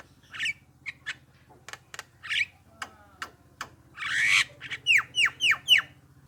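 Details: Javan myna lure call meant to draw replies from other mynas: scattered harsh clicks and a raspy burst over a low hum, ending with four loud rising whistled notes.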